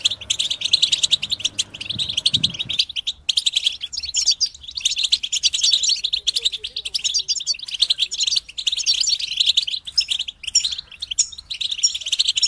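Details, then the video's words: European goldfinch chorus, group singing to help goldfinches sing and finish moulting; long unbroken stream of rapid, high twittering and jingling notes from many birds, with a low hum at the start. "بتبتة جماعية تساعد الحسون على التغريد والخروج من مرحلة غيار الريش"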